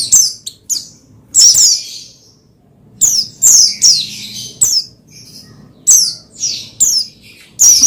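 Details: Pleci, the Oriental white-eye, singing to rouse another bird to sing; quick high downslurred chirps and short twittering bursts come in groups, pausing about a second between clusters, over a quiet room background.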